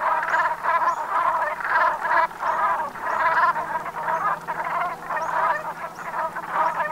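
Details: A flock of Brent geese at sunset on 7 November 2021, autumn, in the Gulf of Morbihan, Brittany, gives a steady, overlapping chorus of low, guttural, rolling croaks in bursts about every half second.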